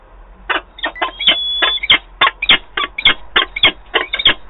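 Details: At a nest box in Wałbrzych, Poland, on 11 October 2022, a peregrine falcon pair meets after the female flies in. A rapid, excited run of loud, harsh chattering calls follows, about fifteen notes in four seconds, some with thin whistled overtones.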